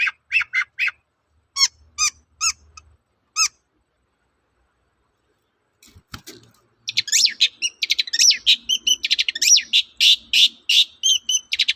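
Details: Long-tailed shrike lure recording intended to get other shrikes to answer: several spaced, down-slurred whistled notes, a pause, then a long burst of fast, scratchy chattering song.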